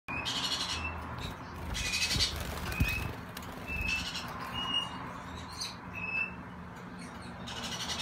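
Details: Gouldian finch recorded on 29 June 2018: short, thin chirps repeated about once a second, some clipped and some slightly drawn out, over a steady low hum and broad rustling background noise.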